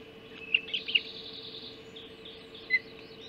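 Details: Hog Island Ospreys at 04:50, 30 June 2016, as a mackerel arrives for breakfast: three sharp high chirps in quick succession, a pause with faint whistled tones, then one more loud chirp, all over a steady hum.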